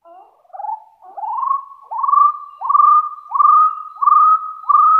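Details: Wild Hill partridge calling to challenge rivals, a series of clear whistles rising in pitch and lengthening, repeated about every 0.7 seconds and building in loudness.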